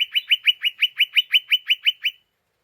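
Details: Unsettled lesser green leafbird (cucak ijo mini) chattering 'ngeriwik' to provoke other birds: twelve evenly spaced, clipped notes delivered quickly, about five per second, with no background sound.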